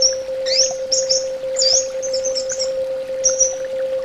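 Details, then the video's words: Orange-headed thrush song: scattered high thin whistles and quick slurred notes with short pauses, over a steady low hum. "SUARA TERAPI BURUNG ANIS BATA"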